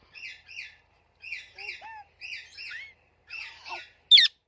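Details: Chirping from a talking parrot, with paired bright chirps repeated in four groups separated by short silences and one sudden loud, harsh squawk at the close.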